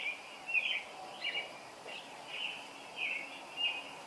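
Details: A robin sings early on a summer morning, short warbled phrases of high, slurred notes about one every half-second to second, over a steady background hiss.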